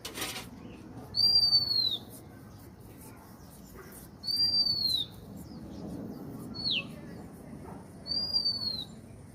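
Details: Lonely bird giving thin high whistles that slide gently downward, each lasting under a second and repeated every three to four seconds, one shorter steeper note between, over soft low hiss.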